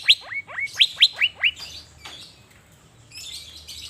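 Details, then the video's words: Asian fairy-bluebird kept as a cage bird, singing loudly while set out in the sun in Banjarmasin: six sharp upward-swept whistled notes in quick succession, then fainter scattered chirps and soft background noise. "Burung Cucak Biru Gacor saat dijemur"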